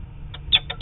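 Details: A distant Peregrine Falcon, probably the male of a nesting pair, gives three or four short, sharp, high notes in quick succession over a low rumble; recorded on 4 October 2017 as the pair flew.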